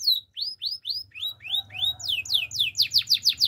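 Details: A male canary sings a sequence of clear rising-then-falling whistled notes, repeated roughly three times a second, that speed up into a fast, bright, high tour of sweeping notes by the end.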